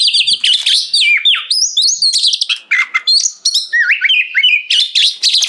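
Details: Oriental magpie-robin (kacer) singing gacor ngeplong as a master song for house birds, encouraging others to reply; sweet swooping whistles and stepped notes alternating with harsh high bursts, continuous.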